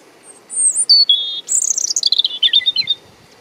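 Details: European robin singing about 50 cm from the camera in Deal, Kent, UK, on 17 April 2021: high, thin whistled notes sliding downward, then a fast run of sharp twittering trills, recorded unprocessed on a windy day.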